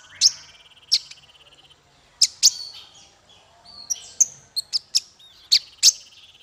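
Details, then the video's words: Masteran bird song for tutoring small fighter birds, with sharp high chips spaced about a second apart over a steady rapid ticking trill, and mid-clip a cluster of whistled notes and chips. "Masteran paling merdu untuk burung faigter kecil"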